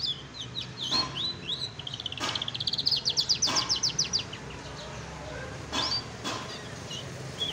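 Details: A pet lark, brought outdoors and set on the ground, sings a varied run of high, sweet notes that breaks into a rapid trill, with a few sharp knocks and a low hum behind.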